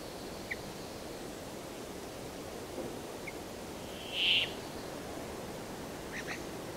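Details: A brief rasping buzz from a Brambling stands out from a hissy background, with a few faint scattered chirps before and after.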